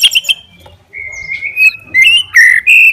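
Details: Murai batu, the white-rumped shama, singing to provoke another bird: long, pure, level whistles rising in steps, with a few sharp high notes.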